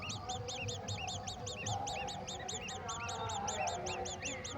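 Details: Golden oriole chicks receiving a mantis from a parent: fast repeated high chirps, each rising then falling, from at least two birds overlapping, over a low noisy background.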